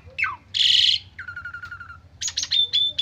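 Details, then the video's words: Lure recording of an agitated Asian pied starling giving fill-rich song: a falling whistle, a loud harsh buzzy burst, a long stuttering trill at lower pitch, then choppy notes ending in a clear sustained whistle. "Pancingan Jalak Suren Stres Full isian 100% Nyaut"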